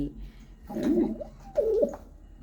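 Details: Pigeon of a family with a chick being fed by regurgitation gives two throaty, gurgling coos that dip and rise, low-pitched and close, in a small quiet room.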